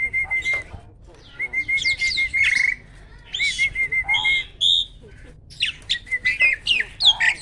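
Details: Captive competition starling singing loudly with rapid bursts: long flat whistles broken by fast, harsh, scratchy notes and varied chirps, with a low background hum throughout.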